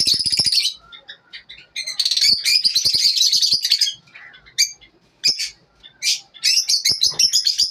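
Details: Morning chatter of lovebirds: bursts of fast, high, buzzy twittering broken by quieter gaps and scattered single chirps.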